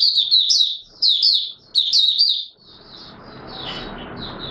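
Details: Oriental white-eye (Mata Puteh Raja), a kept songbird, starting to sing, recorded 24 March 2022: three quick bursts of high, rapid twittering warbles, each about half a second, then thinner soft twittering over a broad rustling hiss.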